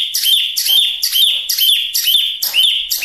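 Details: Chinese hwamei (wambi mini) in full song, used as tutoring and lure material: rapid, steady phrases, each a harsh buzzy burst finishing in a sharply rising whistle, roughly seven phrases in three seconds, no other sounds.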